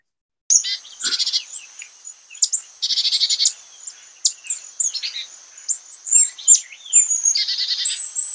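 Carolina Chickadee giving high, thin notes followed by harsh, buzzy dee bursts, repeated every couple of seconds; quicker and a little different from the black-capped's call.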